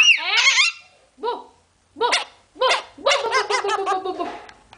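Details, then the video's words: A pet parrot talking gives a run of squeaky, harmonic bursts, some wavering and rising, with short pauses before a longer chattering phrase; nothing else heard. "Paulina falando"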